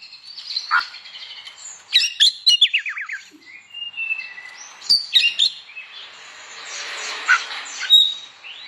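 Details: Energetic morning song from an Oriental magpie-robin, aimed at getting other magpie-robins to sing; varied whistles, a quick falling trill, sharp clicks and chips, followed by softer scratchy warbling.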